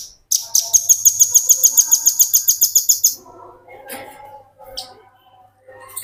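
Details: Velvet-fronted nuthatch singing continuously in a tutor recording for training other birds: a fast, even trill of sharp high notes, about three to four per second, lasting nearly three seconds, then softer scattered chirps and faint background noise.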